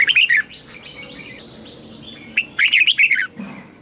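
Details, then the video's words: Red-whiskered bulbul singing as a training model so young white-cheeked birds learn the song and wild-caught birds are stirred to sing quickly. Two bright bursts of fast, warbled, rising-and-falling notes, each about half a second long, separated by a quiet gap. "Chào mào luyện giọng giúp má trắng học giọng hiệu quả, kích chim bổi nhanh hót và căng lửa"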